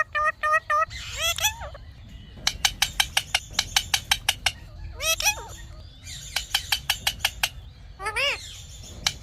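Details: Indian ringneck parrot talking: a mix of whistled, gliding notes and runs of fast, sharp repeated calls, over a steady background hum.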